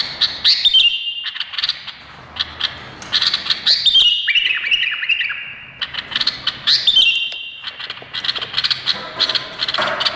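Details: Indonesian bulbul singing in bursts: scratchy chirping phrases alternate with long level whistled trills, broken by short pauses over about ten seconds.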